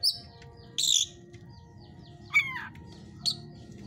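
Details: Captive white-rumped shama of the hot type in a breeder's cage giving a few separated sharp notes: a high whistle, a rasping burst and a downward-sliding note, with quiet pauses and low background hum.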